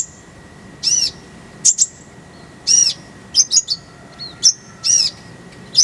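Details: Konin (kolibri ninja) singing in a tutor recording: varied high notes, some slurred and buzzy, others thin whistled tones, delivered in irregular short phrases over a constant faint hum.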